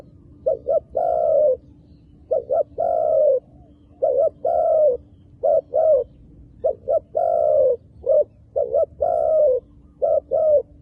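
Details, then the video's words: A wild dove in Cambodia, its dark-patterned plumage noted, gives a repeated low coo: short double notes followed by a longer drawn-out coo, phrases recurring about every one and a half seconds over a steady low background hum. "យូៗជួបមួយលលកព្រៃរូបស្អាត រោមឌិតខ្មៅ"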